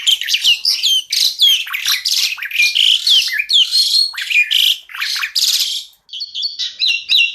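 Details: Black-collared starling in a 'tembakan' style masteran recording: loud chattering song of rasping bursts and bright slurred whistles, a short pause, then a string of quick clean twittering notes.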